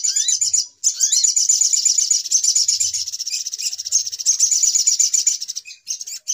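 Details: Little spiderhunter calls played as a bird-trapping lure: an almost unbroken stream of sharp, high, rapid chips, with a couple of rising whistled notes near the start.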